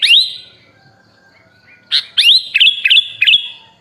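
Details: A sooty-headed bulbul on a songbird tutor recording, described as full of rich fill-in phrases, gives one rising slurred whistle, a pause, then several loud sharp notes and clipped whistles in quick succession.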